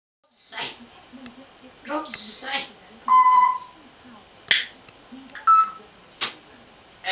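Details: Captive African grey parrot in Somerset, recorded in 2009, chatting with its owner: a series of short speech-like utterances, clear whistled tones and sharp clicks, indoors in a small room.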